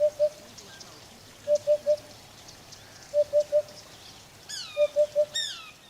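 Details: Eurasian hoopoe (Upupa epops), called hudhud in Arabic, gives low, soft hoots in groups of three, four triplets spaced about one and a half seconds apart. Sharp descending whistles from another bird come near the end.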